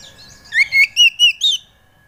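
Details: Oriental magpie-robin song used as a lure to draw out singing: a short phrase of four or five clear, loud slurred whistles, each rising then dipping, with the last note highest, then silence.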